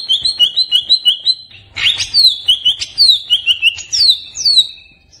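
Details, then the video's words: Greater green leafbird, a caged songbird, in a lure recording: fast evenly repeated bright whistled notes, then loud sweeping downslurred whistles mixed with quick repeated notes in a lively varied song. "Pancingan Burung Cucak Ijo Stresss"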